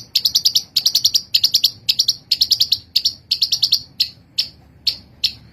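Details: Long-tailed shrike (Lanius schach) song: rapid bursts of harsh, high chattering notes in quick rolls of four to six, then slowing to single sharp chips.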